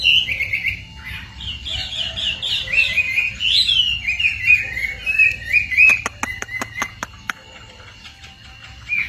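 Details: A yellow decoy bird sings a continuous warbled run of quick high chirping notes that rise and fall, followed by a burst of sharp clicking taps and a few further chirps.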